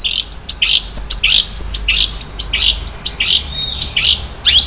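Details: Long-tailed shrike giving 'isian mewah' filled song: brisk repeated chirps and short slurred notes with sharp high ticks, roughly two per second, loud and continuous over a faint low background hum.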